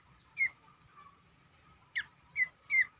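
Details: Cingcoang song used as a lure to make other birds sing more actively: a few short, sharp whistled notes sliding downward, spaced out with pauses, over a steady faint hum.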